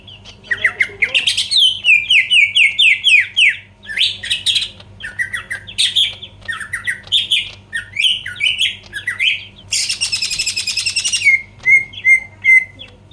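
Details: Greater green leafbird singing to provoke rivals: a rapid whistled run, scattered buzzy bursts, a long harsh rasping buzz, then clear short whistles repeated evenly.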